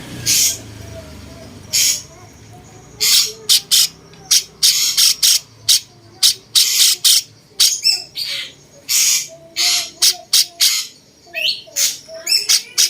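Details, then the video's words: Cucak cungkok bulbul singing as a master bird for training other songbirds: sharp, noisy chattering bursts in uneven groups, some broken by short pauses. A quieter ticking sound runs underneath. "cungkok rasa jenggot"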